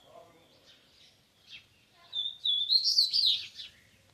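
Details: Young songbird already singing the bitola song style and nearly fully trained; after faint soft notes, a bright high warbled phrase rises and flutters for about a second and a half, then tails off, with quiet background murmur.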